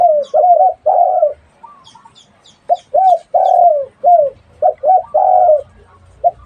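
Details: Dove giving a call of short, low, hooting coo notes, some slurred and some held longer, in uneven bursts with brief gaps; faint high chirps from other small birds in the background.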